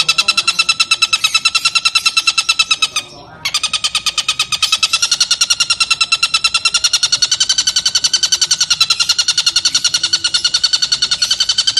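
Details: Stork-billed kingfisher in a long 'ngekek panjang' laughing sequence, used to train lovebirds and other songbirds: rapid harsh repeated notes, a brief silent gap near three seconds, then the fast chatter resumes and continues to the end.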